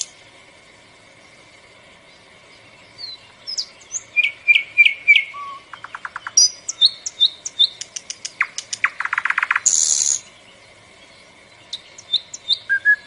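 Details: Bulbul song beginning after a quiet start: quick chirps and whistled slurs, then fast rattling trills and a high buzzy burst, with more scattered chirps at the end. Steady faint hum beneath.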